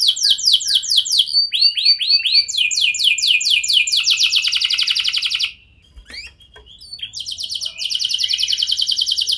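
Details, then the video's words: Canary lure song to make other canaries answer: fast trills and swooping rolls for about five seconds, a near-silent break with a faint click, then a fast high rattle returns. "Kenari Lain Langsung Respon Dengan Pancingan Kenari Gacor Lagu Istimewa Ini"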